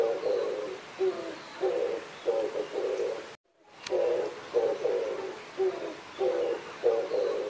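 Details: An Oriental turtle dove (Streptopelia orientalis orii) during mating gives low, husky cooing phrases in a steady run, each note short and mellow, with a brief break midway.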